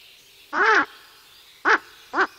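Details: Ural owl near its nest, responding to a human presence: one drawn-out harsh bark followed by two shorter gruff barks, loud and rasping, with faint background hiss.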